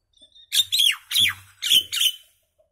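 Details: Common myna giving four loud harsh squawks in quick succession, each a broad noisy burst sweeping downward, over about two seconds in an otherwise quiet setting.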